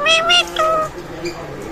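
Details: A talking parrot (Bengali-speaking, called Mithu) gives meow-like mimicked calls, harmonic and nasal, in two quick bursts then a longer note, amid its speech mimicry; it can say about 15 words.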